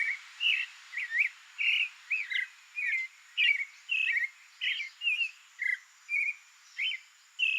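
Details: Creamy-bellied thrush singing in its natural habitat in Brazil: evenly spaced short warbled phrases, about two per second, each a slurred or twisting note of similar pitch, over a thin constant high insect drone.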